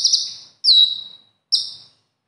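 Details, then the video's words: Competition konin, a kolibri ninja trained with other birds' song material: three short, very high phrases, a shimmering buzzy burst, then a sharp downslurred whistle and one more bright note. "Konin Isian Mewah| Materi Seperti ini yang Banyak dilirik Para Juri"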